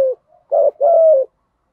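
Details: Short spotted dove coo used to lure wild doves, thổ voice style. A brief low note, a pause, then a short note followed by a long, level, mellow note that falls slightly at the end.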